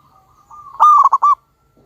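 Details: Loud local zebra dove used to lure others: a soft lead-in coo swells into a quick trilled sequence of four clipped notes and a held, bright closing coo.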